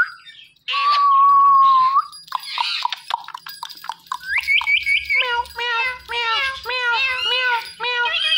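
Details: Indian ringneck parakeet talking, saying "Mitthu": a long flat whistle, a burst of rough chattering, then a run of repeated nasal speech-like syllables about two per second.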